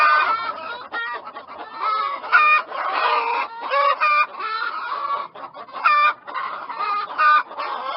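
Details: Dense chicken clucking, repeated loud squawking notes over a constant murmur of softer clucks from several birds.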